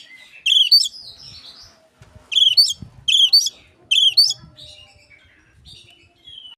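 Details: Oriental magpie-robin imitating Asian pied starling, used to lure other magpie-robins: four loud bursts of harsh, stacked chattering notes separated by short gaps, with soft scratchy sounds and faint low noises behind.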